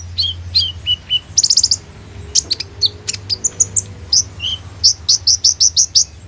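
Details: Lure song of a sunbird for training young birds, recorded on an Oppo A37f phone: descending whistles, a quick rattling burst, then a lively string of sharp high chirps repeated at a fast pace.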